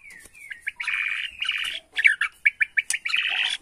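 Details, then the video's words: Lure song of a Bornean White-rumped shama, meant to make a bird answer within seconds: high buzzy trills alternate with short, sharp, clipped notes in a fast, jerky sequence. "PANCINGAN MURAI BORNEO EMOSI..!! HITUNGAN DETIK LANGSUNG NYAUT"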